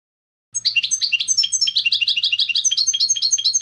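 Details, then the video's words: Goldfinch song of rapid, bouncy twittered notes repeated about twice a second, bright and tinkling, with a faint low hum beneath. "CHANT DU CHARDONNERET"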